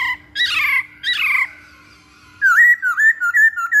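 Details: Masked laughingthrush lure song meant to set off other birds: two harsh, rich falling notes, a short pause, then a fast series of bright whistled notes that swoop up and down.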